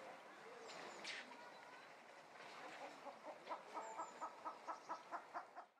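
A white-crested turaco gives a steady run of about a dozen hoarse, barking notes, roughly four a second, over a murmur of background noise.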